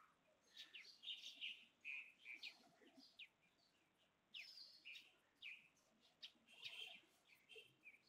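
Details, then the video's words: A tailorbird, a bird smaller than a sparrow, gives sharp, high chirps in quick bursts of two to four notes, pausing between bursts, over a faint hiss. "Tailor bird"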